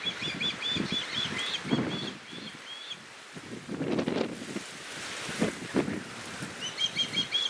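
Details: Osprey fledgling, one of two young that had just fledged, begging its father to share his catch while the mother and other fledgling fly around; series of short whistled chirps near the start and end, with wingbeats and thuds below.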